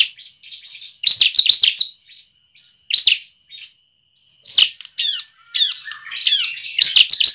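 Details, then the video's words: Lively bar-winged prinia song meant as a lure for pet prinias: fast sequences of high chirps and buzzy trills, mixed with lower downward-slurred whistles, in bursts broken by short silent gaps. "ciblek manapun langsung bunyi dengarnya dengan pancingan ciblek satu ini"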